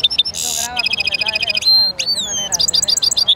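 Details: A European goldfinch mule sings a dense, jingling medley: crisp chirps, a harsh buzzy burst, a rapid trill, a clear sliding whistle and closing twitters, delivered almost without a break.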